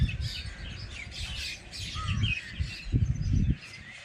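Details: Village birds chirping: busy high twitters with one clear descending whistle near the middle, heard over bursts of low rumbling noise.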